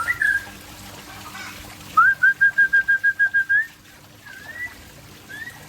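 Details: Aceh white-rumped shama whistling: a short opening phrase, then about ten identical clear notes repeated rapidly, followed by softer rising slurs, over a constant low hum.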